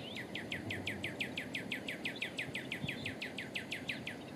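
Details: Male northern cardinal singing for territory or courtship: a long series of loud, downslurred whistled 'chew' notes, about five per second, each sweeping sharply from high to low, over a low background rumble.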